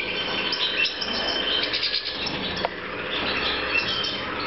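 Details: Breeding-season European goldfinch, recorded 2014, giving continuous high twittering song of rapid chirps and short trills, with constant overlapping chatter from other birds and low background hum.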